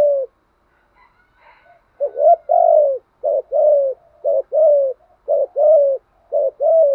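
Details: Spotted dove, a well-trained caller, gives a steady sequence of two-part coos, a brief rising note then a longer falling one, repeated roughly once per second after a quiet start.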